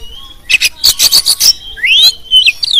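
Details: Champion Oriental magpie-robin delivering full song for tutoring and provoking birds: a thin whistle, a burst of five harsh scratchy notes, then bright upswept whistles and sharp slurred phrases.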